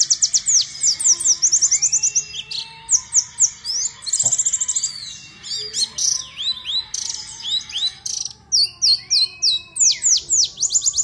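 A white-eye sings a rapid, high, twittering warble of quick chirps and slurred whistled trills, pouring out almost without pause.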